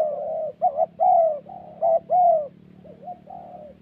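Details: Spotted dove cooing in a decoy trapping setting in Vietnam's Central Highlands, part of a fight between birds; a run of six mellow, slightly wavering coos, the last ones softer and trailing off, over a faint hum.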